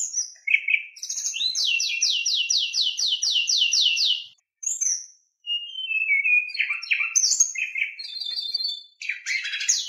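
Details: White-rumped shama song used as a lure to make other shamas sing: a rapid series of about ten sweeping repeated notes, a short silence, then mixed whistles and harsh buzzy bursts.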